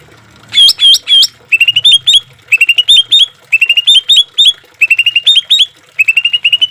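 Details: Green leafbird song used to train and soothe caged birds, full of harsh 'shot' phrases: short clusters of bright upward-flicking whistles delivered in bursts of three to six, separated by brief pauses.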